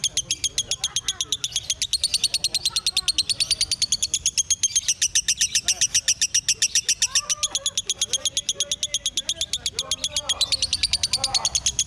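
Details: Caged 'konslet' lovebird delivering a long unbroken chattering song: rapid, regular high-pitched pulses repeated without pause for twelve seconds, with soft lower chirps and twittering underneath.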